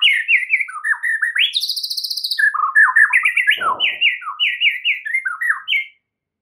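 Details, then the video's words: White-rumped shama tutor song said to make any other shama answer: a rich, varied string of short whistled and slurred phrases, one high buzzy rattling trill, and a brief noisy rasp midway. "MASTERAN Murai Batu FULL ISIAN , Murai manapun AUTO NYAUT mendengarnya"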